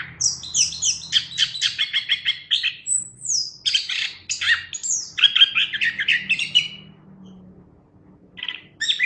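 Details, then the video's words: Vigorous song of a Chestnut-capped thrush recorded as a training tutor: fast strings of repeated sharp notes, a thin high whistle, then rich warbled phrases, ending with quiet and a brief final burst. A faint low hum throughout. "Suara Burung Anis Kembang | Gacor"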